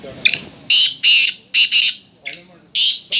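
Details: Chakri call of a black francolin: repeated harsh, scratchy notes, mostly paired, in a rapid grating sequence, with short gaps between groups.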